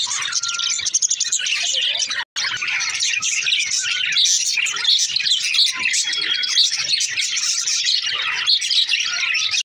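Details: Budgerigars talking to each other in dense, bright warbling chatter of overlapping chirps and squeaky whistles, interrupted by one brief silent break early on.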